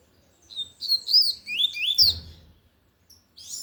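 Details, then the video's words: Lined seedeater singing loudly in the Tui Tui song style: a rapid run of sharp, high whistled and buzzy notes with quick upward and downward slurs, a soft knock midway, a brief pause, then another high burst at the end. "Coleiro de gola Tui Tui cantando forte"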